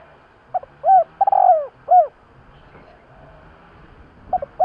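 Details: Spotted dove giving a 'kích bổi' call used to lure wild doves: two short low coos, a long trembling coo that slides downward, then a final short coo, with another phrase starting at the end.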